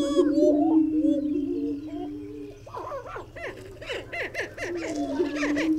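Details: Greater prairie chickens: a sustained low moaning drone in the first half gives way to a burst of rapid, excited cackling and whooping notes before the drone resumes.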